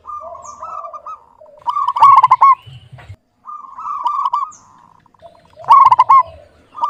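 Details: Local zebra dove cooing steadily: soft warbling trilled runs, each leading into a loud stammering coo burst, the pattern repeating twice.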